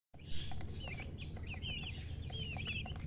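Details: Baby chicken chicks chirping: thin, high, whistled peeps, some rising and some falling, given in quick overlapping runs over a steady low hum and light rustling.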